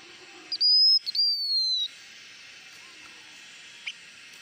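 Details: Blue-winged minla singing a lure song: one steady high whistle and a longer, gradually descending whistle, then quiet hiss with one soft click.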